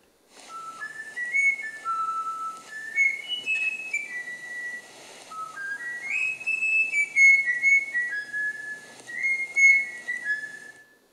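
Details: Eurasian bullfinch whistling a human folk tune it learned after a bird researcher whistled it to it for many months; pure, flute-like notes step up and down in a slow melodic phrase, with faint background hiss.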